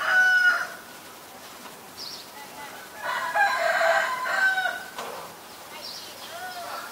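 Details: White-vented myna in Ubon Ratchathani, Thailand, 9 March 2022. A loud call comes first, then fainter notes, then a rich, harsh phrase near the middle, followed by softer chattering.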